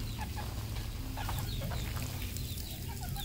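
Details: On a farm in Cambodia, red junglefowl give quick clucks and thin rising chirps in loose succession, set against a continuous low mechanical hum.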